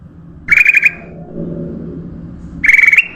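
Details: Lure recording of a sooty-headed bulbul: two short rippling, trilled whistle phrases, one at the start and one near the end, separated by a quiet stretch with low background hum.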